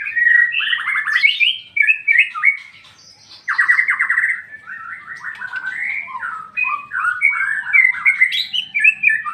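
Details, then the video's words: Loud ngeplong song from a white-rumped shama, with buzzy, stuttering trills and bright whistles running almost without pause, one brief lull near the middle. "MURAI BATU NGEPLONG-NGEPLONG"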